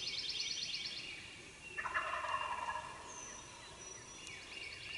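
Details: Eastern wild turkey gobbler in Mississippi, early in the day during hunting season: one distant, rattling gobble about two seconds in. Songbirds keep up a high, busy chorus around it.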